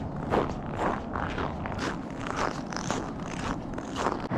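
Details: Crunching footsteps and scraping on a path, with no animal calls heard.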